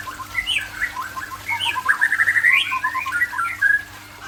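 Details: White-rumped shama of the Aceh type singing a varied run of clear whistled phrases, sliding up and down, with a quick stuttering series in the middle; faint steady hum behind.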